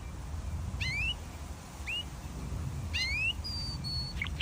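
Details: Canary singing: a few spaced, rising whistled notes in short bursts, one held high clear tone near the end, then a brief flurry of sharp notes, over a steady low rumbling background noise.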